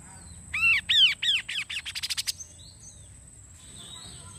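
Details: Kaso-kaso bird, used to lure wild birds into singing: a loud run of arched, harsh nasal notes that speed up and shorten into a rapid stutter before stopping, with faint birdsong and a steady high hiss afterward.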